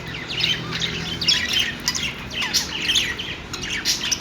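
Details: Happy budgies chattering: rapid high chirps and short scratchy squawks in busy overlapping bursts, a steady stream of bright warbled notes from more than one bird.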